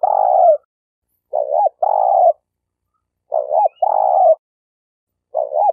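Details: Spotted dove call for luring and for training newly caught birds: alternating short looping coos and longer rolling coos, repeated about every two seconds, clean and without background sounds.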